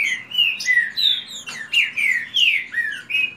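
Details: Kept green-winged saltators in a fast song dispute pour out continuous bright whistles, long slurs rising and falling, one bird answering another almost without pause.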